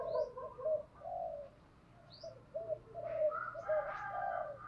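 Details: Spotted dove cooing, used as a decoy call to excite and train males. Mellow, repeated coos sound over a steady background hiss, with some faint higher chirps mixed in.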